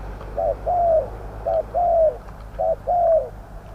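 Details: Decoy spotted dove in a Thai trapping pen, calling to wild doves of medium voice: three clear phrases of a short clipped coo followed by a longer mellow coo that sags at the end, evenly spaced over faint hum.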